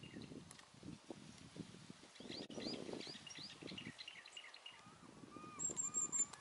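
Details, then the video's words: Long-tailed tits give thin, high chi-chi-chi calls and short trilled notes in a quick irregular series over low rumbling background noise, 30 April 2020, in Meiji Park, Nemuro; birds fly near people but move fast. "高い声で「チーチーチー」 雪の妖精シマエナガの声が聞こえてきた"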